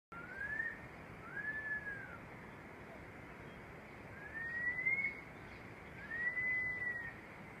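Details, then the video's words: A barred puffbird gives four drawn-out, slightly rising whistles, about two seconds apart, over a steady hiss of background noise. "Barred puffbird"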